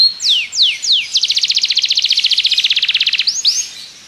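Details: Belgian canary singing to train other canaries, three slow downward whistles followed by a fast, even buzzy trill of about eleven notes per second, closing with rising swoops.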